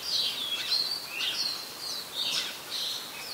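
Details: Red-whiskered Bulbul recorded in Ubon Ratchathani, Thailand, on 16 December 2020, an adult bird; a few clear whistled phrases, slurred downward and rising, about two per second, over a soft hiss.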